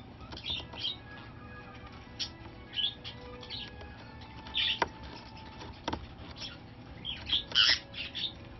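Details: Rescued female nanday conure, over 25 years old, playing in a box indoors; harsh, squawky bursts arrive in short clusters near the start, around the middle and densely toward the end, with sharp tapping and scratching of the box between calls.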